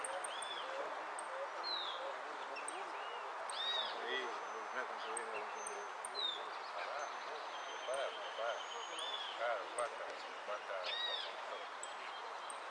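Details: A prize-winning saffron finch (Sicalis flaveola) at a December 2013 Monte Grande singing contest sings bright chirps and short rising notes in quick bursts, over murmuring voices and other small birds.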